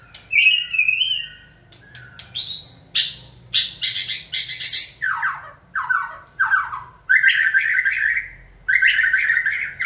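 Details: White-rumped shama being trained to sing when signalled: varied song with whistled phrases, harsh broadband chattering bursts, descending slurred notes and fast trilled runs, loud and energetic throughout.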